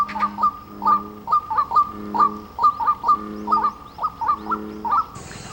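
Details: White-breasted waterhen at Anteo reservoir, Gwangmyeong, South Korea, in July, breeding season, a secretive bird calling to find a mate, giving a fast run of hoarse croaking notes, two or three per second, steadily repeated.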